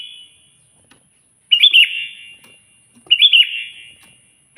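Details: Sooty-headed bulbul calling a rival with loud, gurgling whistled phrases that slide downward, repeated about every one and a half seconds, with a faint high whine in the background.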